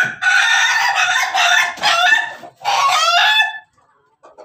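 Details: A rooster crossbred from Pelung, Bangkok and Ayam Ketawa (laughing chicken) lines crows loudly in long, harsh, drawn-out phrases broken by short gaps. The final phrase breaks into a rapid stuttering, laugh-like roll before the crow stops and quiet follows.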